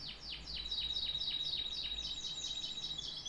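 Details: Fast repeated downward-swooping notes from a canary, evenly paced around four per second, with a sustained thin whistle running through.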